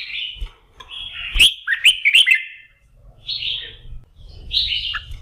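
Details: Red-whiskered bulbul warming up its voice in the morning ahead of singing contests, giving a longer rippling whistled phrase broken by sharp clicks, then two short clear whistled bursts over a soft low hum.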